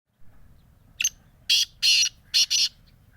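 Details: Black francolin kept for sale in Bhakkar district: a faint short note, then two long rasping notes and a quick close pair of harsh grating notes. The phrase runs over about two seconds above a quiet low hum.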